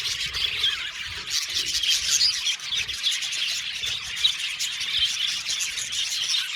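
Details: Budgerigar colony in an aviary, steady crowded twittering and scratchy chirps from many birds, a few louder chirps rising briefly above the continuous background chatter.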